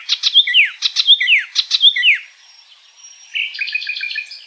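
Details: Wild icterine warbler in lively song, repeating a phrase of sharp clicks and a high whistle that swoops downward three times in under two seconds, followed by a brief pause and a thin, buzzy, nasal chatter.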